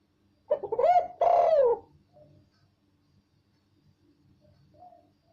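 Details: Spotted dove giving a clear, loud coo: one low, rounded phrase of two or three hooting notes, the last drawn out and falling, then quiet with faint murmurs.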